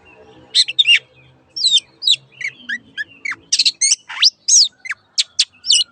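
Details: Master recording of long-tailed shrike song for caged birds: a varied mix of high chirps, rising and falling whistled slurs and sharp clicks, delivered in quick uneven phrases, with a faint low hum early on.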